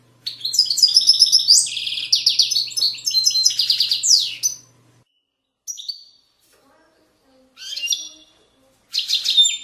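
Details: European goldfinch from the banks of Moroccan valleys, 2020, delivering widani song: a long four-second run of rapid jangling trills and buzzy twitters, then short scattered phrases after pauses, with a low steady hum beneath the opening.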